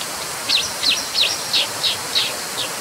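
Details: Brown dipper repeating a high, slightly buzzy chipping note about three times a second in an even series, heard through a steady rushing hiss.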